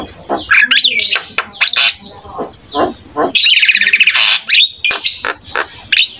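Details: Actively singing Javan myna used as a training master for young mynas. It gives a rapid mix of harsh squawks, clicks and short whistles, with a long grating buzzy burst in the middle.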